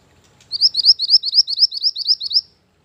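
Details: Mantenan gunung bird lure song for master training: a steady run of about twelve high, sharply rising chirps over two seconds, bright and even, with almost no background.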